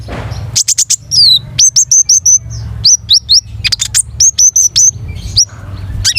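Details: Gacor long-tailed shrike singing a rich repertoire: runs of sharp high chirps, downslurred whistles repeated in quick series, clipped notes between short pauses, over steady low hum.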